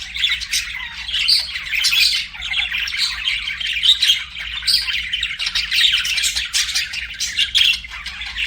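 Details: Singing, chirping pet budgerigars: continuous rapid scratchy warble with interspersed bright chirps, dense and unbroken from start to end.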